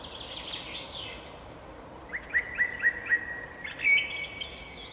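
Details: Birds chirping over steady background noise: high twittering at first, then a run of five quick, evenly spaced chirps followed by a louder rising note.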